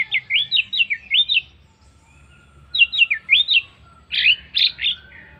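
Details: Orange-headed thrush singing to stir other birds into song: quick series of looping slurred whistles, each phrase repeated several times, a pause, then more loops and fuller warbled notes.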